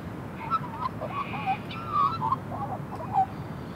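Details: A female immature Australian magpie sings alone under a tree at the Royal Botanic Gardens, Sydney. She warbles contentedly in soft, varied, fluty, bending mid-range notes that rise and fall unevenly, over a low rumbling background.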